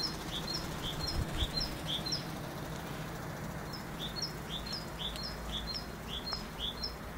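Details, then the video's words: Great tit singing a bright two-note 'tea-cher' phrase, high then lower, repeated about twice a second in two bursts over a low background rumble. "Chant de Mésange charbonnière"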